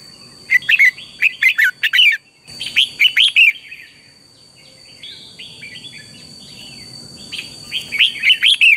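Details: Red-whiskered bulbul singing in the morning, a lure song used to train other birds to sing: loud, quick chirping phrases of bright warbled notes, repeated in bursts with short pauses. A steady high whine runs throughout.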